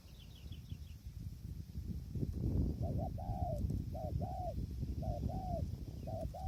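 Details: Spotted dove at a tent-snare trapping site in strong wind. A faint series of high chirps from another bird opens the clip, then four paired coos repeat over rumbling wind.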